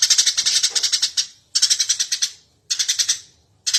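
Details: Persistent Eurasian tree sparrow song for training cage birds: a series of chirping bursts, each a fast run of piercing notes fading at the end, with about a second between bursts.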